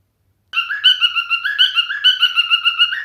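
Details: Male cockatiel song starting after a short pause, a rapid run of repeated warbled whistles, several notes per second, continuing without a break.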